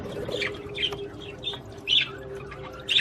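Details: Australian budgerigars singing to encourage mating: scattered short high chirps and squeaks at irregular intervals, a few louder whistled notes standing out over a low steady hum.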